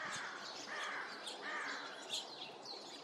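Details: An American crow gives two hoarse, honking 'coo-honk' notes about a second apart, an unusual sound of unknown meaning, recorded 28 February 2026, over steady background hiss and faint chirps from other birds.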